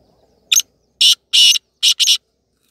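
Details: Tame black francolin (kala teetar) kept as a pet, giving its call: a series of five loud, harsh, rasping notes in an uneven rhythm, the middle one longest, with near silence between them.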